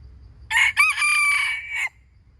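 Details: Wild chicken crowing: a short harsh opening note, a brief break, then a long loud drawn-out harmonic note held steady for about a second before it drops off. Faint low background hum.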